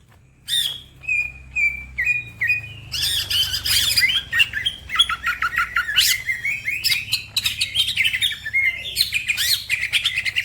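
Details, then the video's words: Fast, lively green leafbird song that sets other birds singing: a few evenly spaced clear whistles, then a dense, tumbling stream of chirps, slurred whistles and rapid trills. "The green cucak bird makes noise, other birds also become gacor"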